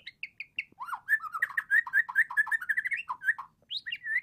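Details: Young white-rumped shama, eight months old, singing in the fluent style called 'teler': a dense, continuous run of varied whistled and chattering notes, opening with a few short repeated chirps, then rapid warbling phrases with rising whistles near the end.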